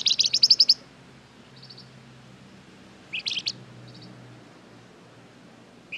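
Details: Vigorous flamboyan singing, played to provoke other birds into responding: a quick run of bright, high chirps, then soft twitters, a short second burst and scattered single notes, with faint low hum.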